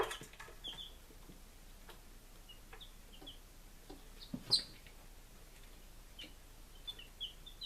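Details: Baby chickens on day five in Lunenburg, Massachusetts, 23 July 2017, peeping only now and then in short high notes, with pecking taps and one sharp, loud click partway through.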